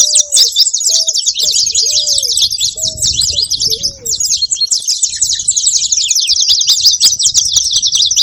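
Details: Saffron finches give a constant high twitter of rapid chirps; during the first four seconds a lower voice adds short whistled notes every half second or so.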